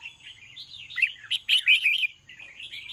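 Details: Red-whiskered bulbul singing in the evening: bright warbled phrases of quick rising and falling notes, loudest and most tumbling in the middle, with a faint steady high tone and low hum in the background.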